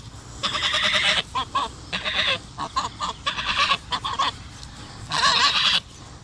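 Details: Two Sebastopol geese guarding their owner from her dogs, giving harsh, nasal honks in four loud bursts, the longest near a second, with short gaps between.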